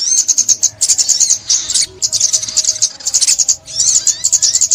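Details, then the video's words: Sunbird from Vietnam, 2021, recorded as a trapping lure, gives rapid high twittering bursts, each lasting about a second, with quick slurred notes between brief pauses. "Tiếng Chim Ốc Mít , Bẫy Chim Ốc Mít 2021"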